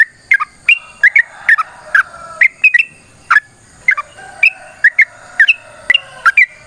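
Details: Yellow-vented bulbul in long, vigorous fighting song used to provoke rivals into singing: chattering liquid notes tumble in quick pairs and triplets, over a steady faint high-pitched background tone.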